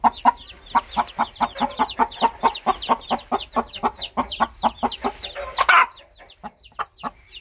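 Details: Rapid, even series of low clucks from a mother hen calling her chicks, then a loud harsh burst and a pause with scattered high chick peeps.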